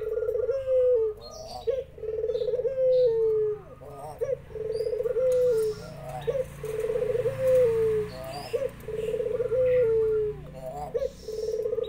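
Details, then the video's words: Spotted dove with zebra doves answering: a long run of steady, trilled coos, each sliding down and followed by a brief upward note. Soft chirping from other birds and low background noise are also heard. "Burung Puter lokal gacor burung perkutut tekukur tikukur deruk derkuku titiran ikut nyahut"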